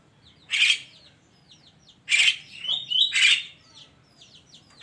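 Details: In the morning a Javan myna gives harsh, buzzy bursts, one single then a quick pair, mixed with whistled notes, while other birds chirp thinly behind.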